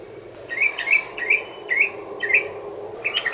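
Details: Sooty-headed bulbul giving long ropel song as a lure for other bulbuls: small clusters of bubbly slurred notes separated by short gaps, over a steady rumbling background.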